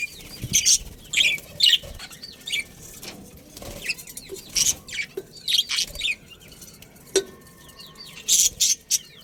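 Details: Budgies in a breeding pair within a colony make sharp, squeaky chirps and short whistled twitters in scattered bursts, with brief pauses between them.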